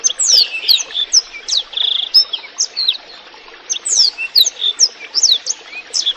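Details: A Black-throated Canary sings a fast, high, twittering song of sweeping notes and a brief buzzy trill, with a soft trickle of water behind.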